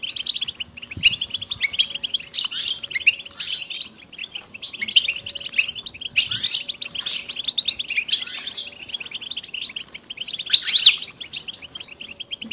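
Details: Goldfinch chorus aimed at ending a male's silence and getting him to sing: a long run of busy high twittering in pulsing waves, louder chirps near the end, and a faint steady low hum underneath.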